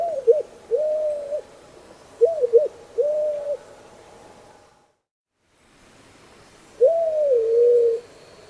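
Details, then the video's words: Slow, repetitive cooing song of White-crowned Pigeon: short wavering notes followed by steady hollow whoops, repeated twice, then after a silent gap a longer rising-and-falling whoop; clean recording without other sounds. "Listen for slow, repetitive cooing song, whoop whoop, woo whoop."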